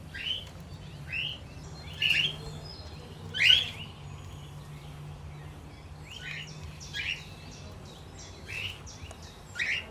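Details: Chirping of a lutino cockatiel in a household flock with budgies and lovebirds: short upward-sweeping whistled notes repeated irregularly at about one a second, a few notably louder, with a faint low hum beneath.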